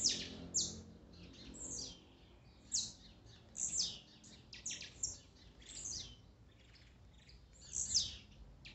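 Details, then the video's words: Blue-black grassquit (tiziu) songs and male calls, played as a warm-up to excite a kept bird: short, high, buzzy bursts repeated irregularly every half second to a second, over a faint low background hum. "Melhor esquente de tiziu,cantos e macheados"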